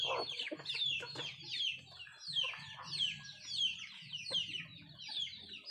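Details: Nattu kozhi feeding: a few throaty clucks open, then high, falling peeping chirps come in repeated clusters, roughly one burst per second, above a constant low hum.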